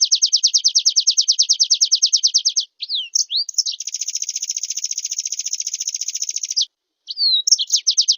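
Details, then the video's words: Oriental white-eye in vigorous, mimicry-filled song, responded to by another bird: a long, quick trill of high repeated notes, a few sliding squeaks, then a dense, fast buzzing rattle and more trilling. "Suara Pleci Gacor Full Isian Direspon Langsung Nyahuut."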